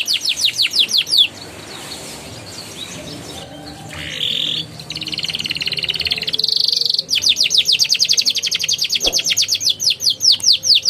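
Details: Rolling ngeroll-style canary song meant to coax young canaries into singing: bursts of fast trilled notes separated by a quieter, noisier stretch with softer warbling in the middle.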